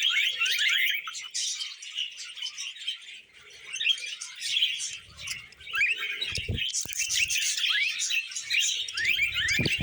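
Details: A group of pet budgerigars sings during a vegetable meal: ongoing high, twittering warble full of short squeaks and slurred notes, with occasional knocks and rustles in the middle and end.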